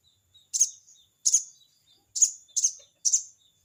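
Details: Crested jay giving its 'crecet' call to a rival: five harsh, rasping bursts, some doubled, spaced about half a second to a second apart, in near silence.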